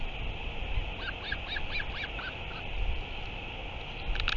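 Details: Northern royal albatross uttering a short series of reedy, wavering nasal notes in quick succession, then falling quiet under steady low wind noise.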